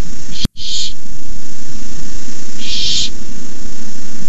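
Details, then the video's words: Barn owl owlets at a nest give two harsh, breathy hisses about two seconds apart, each under half a second, over a steady low hum; recorded at night, 9:57pm, 18 May 2015, when the adult delivered a rabbit. "Owlets hiss."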